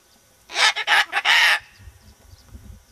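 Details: Pet parrot squawking outside on a spring day while looking around: a loud, harsh burst of four rapid raspy squawks over about one second, then quiet background rustle.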